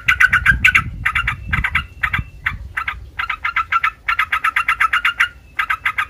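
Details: Sooty-headed bulbul song aimed at provoking replies from other bulbuls: clusters of quick chattering notes separated by short gaps, over low thumping noise early on.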